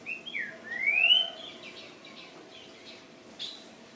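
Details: Greyish saltator singing: a short whistled note, a quick dip, then a long, clear rising slurred whistle, followed by fainter soft whistled notes and a brief buzzy note near the end; steady low hum behind.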